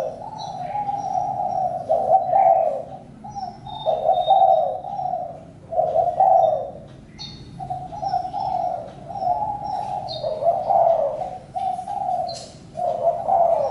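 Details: Spotted dove cooing in repeated low, throaty phrases about every one to two seconds, with short pauses and scattered high chirps from small birds.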